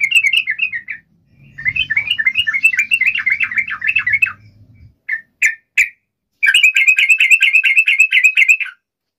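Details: Sooty-headed bulbul, called trucuk, giving lure song to summon a rival: repeated chattering phrases of quick rising and falling notes, a few isolated short notes, then a long even rattle. A faint low hum runs underneath.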